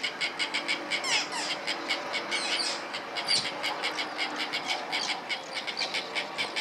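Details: White-fronted terns in New Zealand during mating: a dense, overlapping chorus of harsh, high, scratchy calls, several each second, as from a busy colony, with a steady background hiss.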